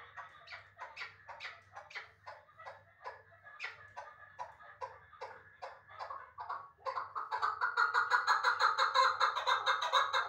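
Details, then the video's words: Chukar partridge of Uzbek origin, a bird from last year's brood, caught and now kept in Dushanbe: rapid harsh chuk notes repeated about three times a second, building into a louder, denser rattling chorus in the last seconds, over a low steady hum. "Кабки Узбекистон"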